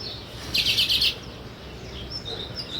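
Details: Sparrow giving a rapid string of four to five bright, sharp chirps, followed by fainter scattered chirps from other birds.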